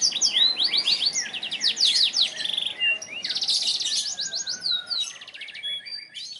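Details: Vigorous gacor song of a black-throated canary, South Kalimantan, Indonesia: a continuous stream of rapid, bright, high chirping notes in fast repeated figures, with occasional long thin whistled tones under the run.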